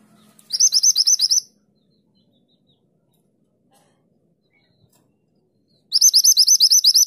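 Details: Mountain mantenan in vigorous 'tulit tulit' song, recorded to tutor songbirds: one quick burst of high upslurred whistles, several seconds of near silence, then a second rapid burst starts.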